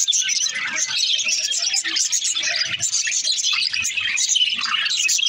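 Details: Talking budgies keep up a nonstop, scratchy twitter of fast chirps and warbled squeaks, tightly packed and high-pitched, with a few lower chattering notes mixed in throughout.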